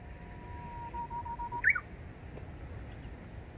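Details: Japanese bush warbler singing in spring at Ashiya, Fukuoka Prefecture, Japan, on 17 April 2020: a faint, steady low whistle held for over half a second, then a brief rising flick, over quiet outdoor background hiss.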